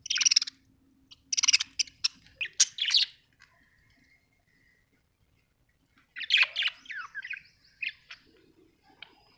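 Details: Pet budgerigars at home in two bursts of rapid, buzzy chirping and warbling separated by a few seconds of near silence with a faint whistle.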